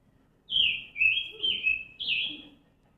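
A Scarlet Tanager sings four quick, hoarse, burry phrases, each slurring up and down, with a faint low room murmur beneath.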